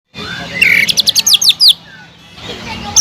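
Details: Greater green leafbird, a caged songbird, in a fast burst of about eight sharp descending whistled notes after a short buzzy phrase, then a quiet pause.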